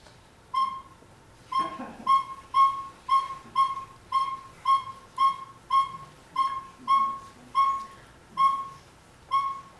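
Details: Male Northern Saw-whet Owl giving its March monotonous tooting, a series of clear, mid-pitched whistled toots about two each second, steady in pitch, with faint rustling at the start; a New Jersey winter owl.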